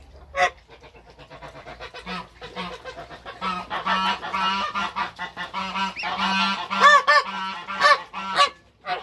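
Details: Toulouse goose mother guarding goslings, some hybrid African and Toulouse, on their first day of life in a backyard; dense, excited nasal honking in irregular bursts, rising to loud sharp honks, with low murmuring calls beneath.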